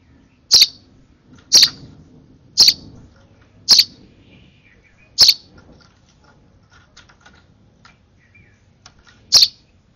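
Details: Sparrow nestling begging while hand-fed at its last feed: five piercing high chirps about a second apart, a quiet pause of some four seconds, then one final chirp.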